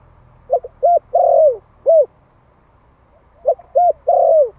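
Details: One-year-old Malay-type spotted dove used as a decoy bird, calling for a mate: two mellow cooing phrases, each a few short hoots ending in a longer falling coo, then a single short coo.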